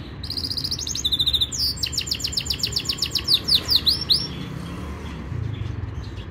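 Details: Yorkshire canary performing a training song: high pulsed rolls open, followed by long runs of fast repeated sweeping notes, ending after four seconds in quiet low rumble.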